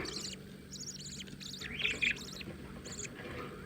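Newly hatched budgerigar chicks give thin, raspy, high chirps in short bursts, roughly one burst every half second, over a faint low hum.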